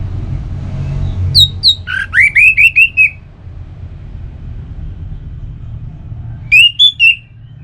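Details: Song of an orange-headed thrush, played to make kept birds sing: two high slurred notes, then a run of five rising whistles, a pause, and a closing phrase of three whistled notes over low background rumble.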